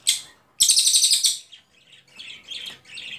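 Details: Ashy Tailorbird (cililin) singing as a tutor recording for songbirds: a short sharp note, then a brief rapid high trill under a second, followed by softer scattered warbling notes.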